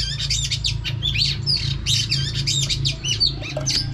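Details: Female oriental magpie-robin singing to stir up and spur on males: a dense, fast run of varied whistles, chirps and trills, with short phrases, slurred notes and quick warbles pouring out continuously, over a steady low mechanical hum.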